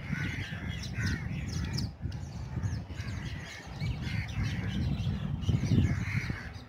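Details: A large murmuration flock of rosy starlings at Bhuj, Kutch, keeps up a dense, harsh, overlapping chatter of grating calls over strong wind rumble.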